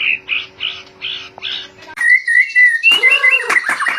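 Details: White-rumped shama song used to excite other birds into song: five rough repeated notes, then a long sweet whistle with warbling, ending in rich rapid melodic phrases.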